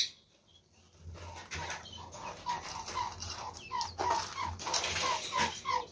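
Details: Captive Chinese quails, a group of seven including one white albino bird, give soft, short downslurred notes in a loose series of about three per second over steady background hiss and faint rustling.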